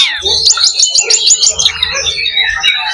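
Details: Oriental magpie-robin (kacer) in a loba fighting simulation aimed at raising fighting spirit. A quick series of sharp, evenly spaced high notes, about three per second, flows into a falling warbled phrase over a faint low hum.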